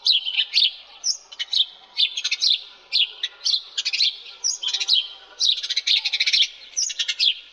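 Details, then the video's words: A sparrow chirps continuously in quick, bright bursts of two or three sharp, high-pitched notes, with little pause between. "Sparrow Sound Effects"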